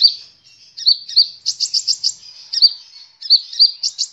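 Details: Sunbird song used as a training recording for cage birds: very high, thin chips and short twittering trills, some rising and some in quick clusters of four or five notes, with a clean background.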